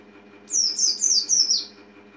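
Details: A single quick string of four high, sweet notes, each dropping slightly in pitch, from an Oriental white-eye over a faint steady hum.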